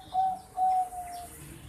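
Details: Juvenile Bangkok zebra dove aged 4.5 months utters three smooth, even-pitched whistled coos in quick succession, the last one longest and softest, over quiet low background hum.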